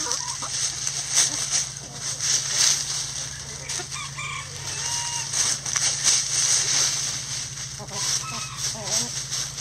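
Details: Backyard coop chickens scratching down a pile of leaves: soft clucks and brief calls over steady rustling of leaves, with a constant low hum underneath.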